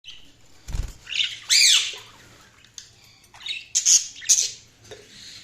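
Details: Budgerigars chirping: bursts of scratchy, warbling high chatter and short squawks come in uneven clusters separated by quieter gaps, with a soft dull thump near the start.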